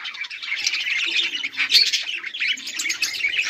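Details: Dense chatter from several budgerigars recorded 18 July 2023: rapid, raspy high warbling with a bright squawk near the middle and steady overlapping chirps throughout.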